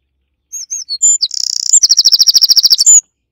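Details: Eurasian wren at the nest singing loudly: a few separate high whistled notes, then a fast buzzing trill and a long run of rapidly repeated sharp notes, ending on a high whistle, about two and a half seconds in all.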